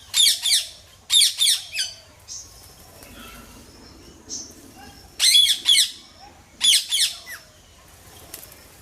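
Harsh, screechy squawks from a ringneck parrot, given in quick bursts of two or three with brief pauses between groups.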